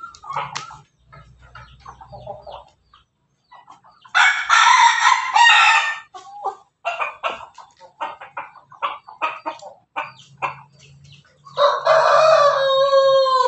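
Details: An Ayam Ketawa rooster at home, bathed to encourage long crowing, gives long, broken crows that stutter and ripple like laughter.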